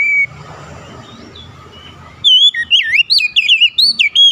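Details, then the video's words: Oriental magpie-robin bursting into song after a rival calls, displaying its full repertoire with rapid, varied whistles, sweeping up-and-down slurs and quick notes, loud after two quiet seconds of faint background hum. "SEKALI BUNYI KACER LAWAN LANGSUNG NAIK EMOSI BONGKAR ISIAN"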